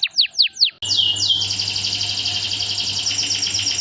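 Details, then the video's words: Caged canary song used as a training lure for other canaries: after three quick descending chirps, a dense continuous high rolling trill with rapid repeated notes, over a low steady hum. "masteran burung kenari full tembakan"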